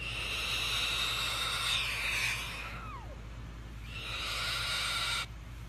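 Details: A male cockatoo perched on his owner's shoulder hisses into the owner's ear to get attention. He gives two long, breathy hisses, each about two seconds, with a short falling squeak between them.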